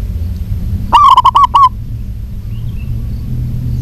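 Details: Single burst of six fast, hooked coos from a female local zebra dove calling a male, followed by steady low background noise.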